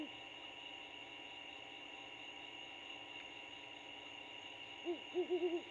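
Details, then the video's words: A Great Horned Owl pair chatting at a nest 75 ft up a pine in an abandoned Bald Eagle nest, The Landings, Georgia, 2016: a short, quick run of four soft, low hoots near the end, over a steady electrical hum. "Great Horned Owl couple chatting"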